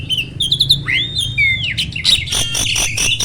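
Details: Captive black-winged starling song played to coax reluctant starlings to sing: harsh chattering bursts, then a looping whistled slur rising and falling, followed by loud raspy, broadband squawks near the end.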